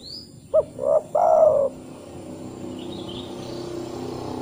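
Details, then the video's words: Spotted dove lure call meant to get a dove to sing: a three-note phrase, short clipped coo, then a mid coo and a long falling coo, followed by quiet hiss and faint distant chirps. "TEKUKUR TAK KUNJUNG BUNYI PUTAR SUARA TEKUKUR INI"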